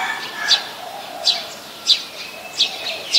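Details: Brown-throated sunbird, Thailand, Ubon Ratchathani, 13 January 2021, Nikon P1000: five clipped, bright chip notes about 0.7 seconds apart, set against faint lower background murmur.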